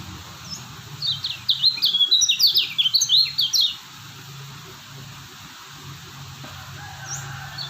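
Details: Lombok lemon-bellied white-eye gives one burst of rapid, high, chattering whistled notes for about three seconds, followed by near silence with only a few faint chirps and low hum.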